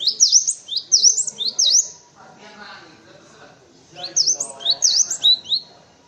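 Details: Cinereous tit song used for tutoring white-eyes and other birds: two bursts of high, sharp, repeated two-part phrases, each rising then falling, about four per burst, with quiet low chatter in the gap between them.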